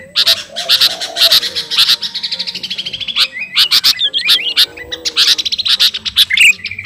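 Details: Sooty-headed bulbul (kutilang garuda) singing energetically to a rival: fast buzzy trills and rattling chatter, with a high slurred whistle near the end and a faint low hum behind.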